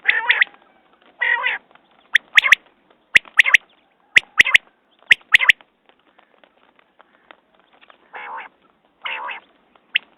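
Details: Quail calling: sharp clicky notes in quick pairs and triplets repeated about once a second, with nasal, buzzy, harmonic squawks before and after.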